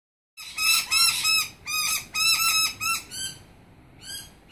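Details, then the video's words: Noisy miners give harsh, rasping scolding notes in quick bursts of three to five, loud and insistent, then trail off into softer calls, alarming at a snake. "Noisy miners notifying theres a snake"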